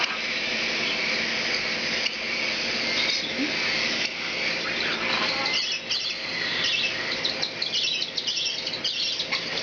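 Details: A young hand-fed, hand-tame cockatiel chick, a baby lutino of unknown sex in a group aged 4 to 16 weeks, head-bobs and gives raspy, hissing begging chirps because it thinks it needs to be fed again.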